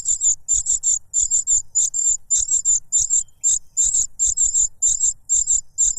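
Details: Cuckoo chick begging for food from its foster parent, who blocks its beak with a butterfly; steady rhythm of shrill, high, doubled and tripled chirps repeated about twice a second.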